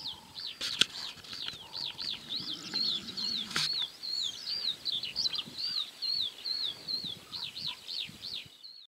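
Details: Male and female northern wheatears at Julków on 28 May 2017. They give high, arched whistled notes, about two a second in a steady run, with a couple of sharp clicks and a low murmur early on.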